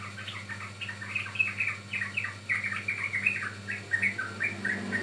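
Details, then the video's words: Yellow-vented bulbul song used to lure and train birds: continuous chattering run of bright, warbled notes with uneven rhythm and a low steady hum. "Pancingan Ampuh Burung Trucukan Paud"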